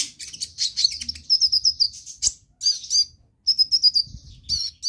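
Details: Sunbird in full, lively song meant to coax silent birds into singing: bursts of high, sharp chirps and rapid twittering runs, broken by short pauses and one loud click.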